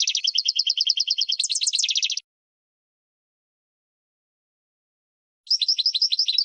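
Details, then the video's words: European goldfinch champion song used as a training recording for teaching birds to sing: a fast, buzzy trill of rapid repeated notes for two seconds, shifting to a higher twittering phrase, then a pause before another quick trilled burst. No other sounds. "12h GOLDFINCH 1st Champion"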